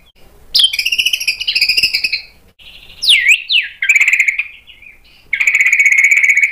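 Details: White-rumped shama singing hard, song stuffed with sharp imitated phrases and used as a lure for answering birds: buzzy chattering runs, a piercing swooping whistle, then a long rapid rattling trill after a pause.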